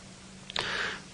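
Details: On a sunrise safari drive in the Sabi Sand, South Africa, on Aug 10, 2017, oxpeckers call near a lioness watching their direction; one gives a single short, harsh, buzzy hissing rasp against a quiet hum.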